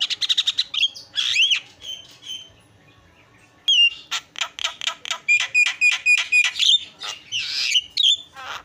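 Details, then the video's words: Javan myna singing for a tutoring recording: quick clicky notes and a looping whistle, a near-silent gap, then a long run of loud, evenly paced rasping notes and harsh squawks. "FULL MASTERAN KICAUAN JALAK PALING YAHOOD"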